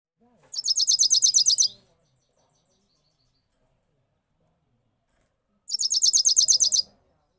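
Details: European goldfinch from 2022 singing a single rolling sound: a high, fast trill of identical notes about a second long, repeated after a four-second pause, with a quiet background.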